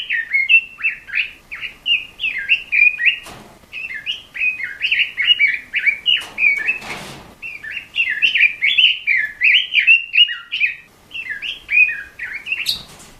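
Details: Red-billed leiothrix (robin ropel) in full, vigorous song, used as a training recording for captive songbirds: lively runs of short, bright chirped and warbled notes in quick continuous phrases with brief pauses, plus a few sharp clicks.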